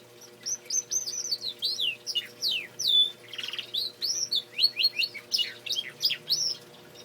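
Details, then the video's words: Male canary in full song: quick series of bright whistled notes, mostly falling sweeps, strung together with a brief buzzy rattle in the middle and a steady low hum behind. "Canary singing"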